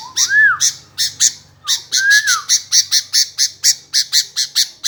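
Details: Sooty-headed bulbul that will not stop answering. It gives arched, whistled notes that rise then fall, followed by a steady run of sharp, harsh chirps, roughly three each second.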